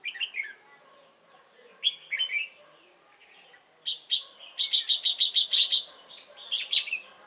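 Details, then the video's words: Red-whiskered bulbul as a trapping decoy at Chùa Hương, Vietnam, 28 November 2017; warbled phrases followed by a fast run of about eight sharp, evenly spaced chirps, then more warbling. "Bẫy chào mào Chùa hương chơi mau mỏ"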